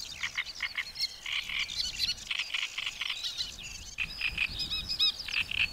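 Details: Great reed warbler song: loud, harsh, croaking syllables repeated in short runs, with brief pauses and a clear break near four seconds before another rapid grating sequence.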